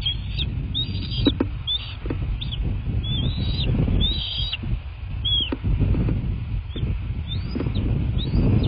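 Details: From a southwest Florida bald eagle nest camera, 23 February 2024: repeated high, squeaky chittering whistles that rise and drop, given in loose clusters throughout, with soft knocks and a constant low background rumble.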